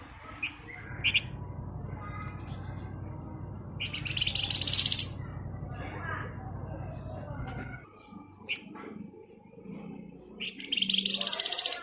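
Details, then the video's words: Javan white-eye in 'ngebren' song for lure training: sharp high chirps and two loud buzzy rapid trills, one midway and one at the end, over steady low hum that stops partway. "BURUNG FLAMBOYAN GACOR EMOSI NGEBREN RAPAT Cocok buat Pancingan agar cepat Nyaut"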